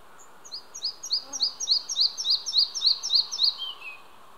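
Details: Red-breasted flycatcher, a singing male, Hunneberg Nature Reserve in Västergötland, Sweden, June 5 2015, Olympus OM-D E-M5 II recording: a fast, regular string of about twelve high, sharp double notes, ending in a couple of lower, falling notes.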